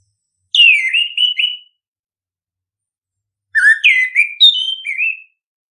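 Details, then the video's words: Two bursts of orange-headed thrush song, played to stimulate birds into singing: rich whistled notes that slide downward and then warble in short level phrases, separated by about two seconds of silence. "pancingan ampuh! punglor kembang | merangsang burung cepat gacor"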